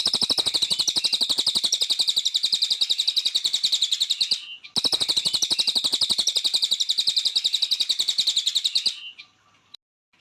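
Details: Vigorous song of a cililin bird, original recording: an extended, very fast buzzy trill of sharp high pulses, one brief break near the middle, then stopping abruptly near the end, leaving quiet.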